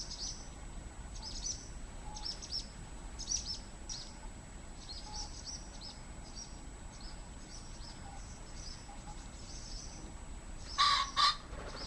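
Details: A male common pheasant in a garden in southern Sweden on 15 May 2015 gives a loud, harsh two-note crow near the end, while small birds chirp faintly and high-pitched throughout.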